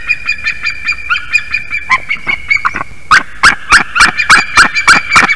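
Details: Female white-tailed eagle at a nest in Durbe, Latvia, 6:48 am, 12 March 2023, crying out during a morning incubation change as the male lands on her back: harsh yelping notes, a loose series that grows louder and faster.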